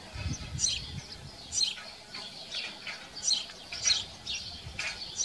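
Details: House sparrows at a farm chirping: sharp, high, clipped notes repeated roughly every half second to a second, some doubled, over a quiet background with brief low rustling.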